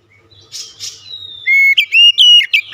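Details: A White-rumped shama sings after soft buzzy notes: a long thin whistle, then loud clear whistled phrases, some rising and some falling, ending abruptly.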